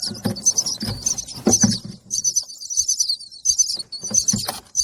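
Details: Young bird chirping for feed, high, piercing chirps in uneven bursts with clear handling and rustling thumps underneath, a quieter spell in the middle.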